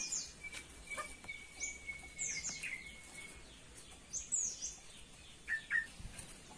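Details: Cucak pantai from Papua, singing actively: scattered short, high chirps and downward-slurred whistles in loose bursts, with a steady thin tone running beneath the first half and faint background hiss.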